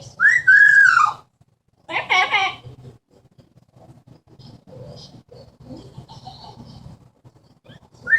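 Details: Indoor pet Amazon parrot, a mimic of speech and sounds, giving a downslurred whistle, then a short harsh burst, then quiet low muttering and a final rising whistle.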